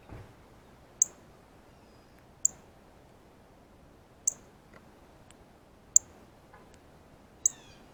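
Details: Feeding chirps from a male Northern Cardinal with the feeder to himself, pecking seeds from a ripe banana. Five crisp, high, metallic chips about one and a half seconds apart over a quiet background.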